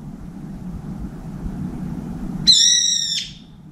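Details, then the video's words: Brown-eared bulbul perched on the outer bar of a window feeder, calling repeatedly to find a companion before feeding alone: after low rumbling background noise, one loud, shrill, harmonically rich screech, slightly falling and lasting under a second. "직박구리 친구찾는 삐이이익 울음소리"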